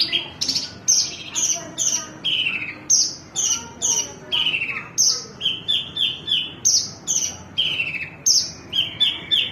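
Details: Long sustained song of a Javan bush lark (branjangan): a dense series of sharp, high chirps and short downslurred whistles, closely spaced and continuous throughout, with soft background noise.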